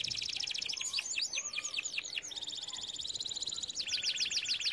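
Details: Canary song meant for training: a rapid pulsing trill, a series of arched whistled notes, another fast trill, then a lower rolling trill with crisp repeated sweeps.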